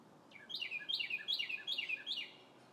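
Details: Under bright spring sun, a red bird in the treetops repeats a slurred, descending whistle five times in quick, steady succession, clear and loud over faint ambient noise.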